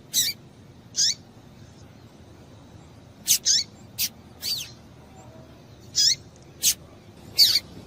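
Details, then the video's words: Calling female double-collared seedeater used to excite males: spaced single high, down-slurred chip notes roughly every second, clean and clear over a quiet background. "Piado de Fêmea de Coleiro Para Esquentar Coleiro"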